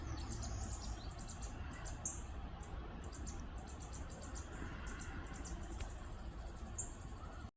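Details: Fledgling Northern parula, Lettuce Lake Park in Tampa, Florida, 2 May 2022, calling with a long run of high, thin, closely spaced chips grouped in short bursts, above a continuous low rumble.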